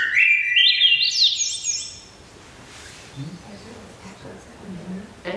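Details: Swainson's Thrush, a higher-elevation species, sings a flutelike, breezy phrase that spirals steadily upward for about two seconds. Low, quiet talking follows.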